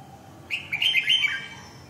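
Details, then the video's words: Red-whiskered bulbul singing one brisk, bubbling phrase of several slurred whistled notes, rising then falling, with a faint low hum underneath. "Kênh về chim Chào mào"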